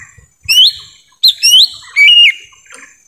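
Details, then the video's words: Lure call of the lesser green leafbird from a forest, played to bring in wild birds: loud sliding whistles, rising then level, three phrases over about three seconds, one with a wavering downward ending. "suara asli pikat cucak ijo mini di hutan"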